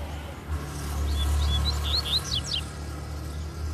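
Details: Free-flying male double-collared seedeater, excited as his female comes down toward a caged bird, sings a run of high, clear slurred whistles, some upswept and some down-slurred, over a steady low hum and a man's voice.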